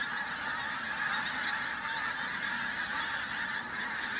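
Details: Pink-footed goose flock, Flitcham, 5 January 2017: thick overlapping honks and high yelps merge into one steady roar of calling.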